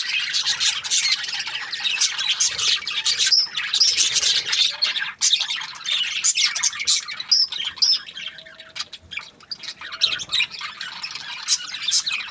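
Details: Australian budgies chattering as a flock for over twelve seconds, thick layers of high chirps, whistled squeaks and scratchy warbles, loudness swelling and easing, with a faint steady hum behind.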